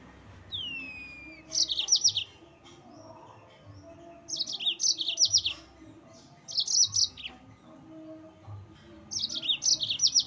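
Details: Yellow-fronted canary (mozambik) song used as a rival-provoking lure: one descending whistle, then four bursts of quick, high sharp chirps every couple of seconds over low background noise.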